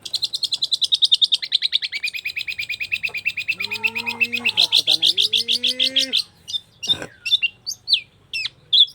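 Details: Long-tailed shrike singing vigorously: a fast, buzzy high trill that slides lower and continues for six seconds, then scattered sharp whistled notes. A low voice-like drawn-out tone sounds midway, over a faint low hum.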